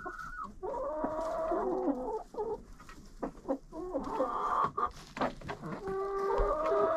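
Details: Chickens in a friend's coop, recorded with a GoPro: a busy chorus of overlapping clucks and drawn-out nasal calls runs almost without pause, with quick stepped notes and occasional soft knocks.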